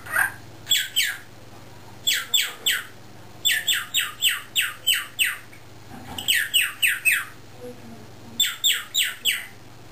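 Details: Caged pet cockatiels left indoors while their owners work in the driveway; harsh, buzzy squawks given in quick bursts of three to five, about four per second, with short pauses between bursts, in a small room.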